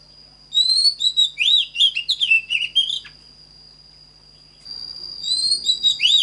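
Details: Oriental magpie-robin song for singing practice, heard in two bursts: a lively sequence of looping whistles and twittering notes, a pause of nearly two seconds, then a fresh phrase starting, with a steady high hum throughout.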